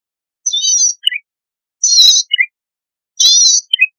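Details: Zitting cisticola song in lively 'gacor' style, used as a lure to make newly caught wild birds sing; three buzzy, trilling high phrases about every 1.3 seconds, each ending in a short falling double chip.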